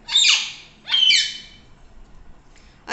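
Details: Pet talking parrot kept at home: two harsh, grating squawks about a second apart, then a short sharp note at the close.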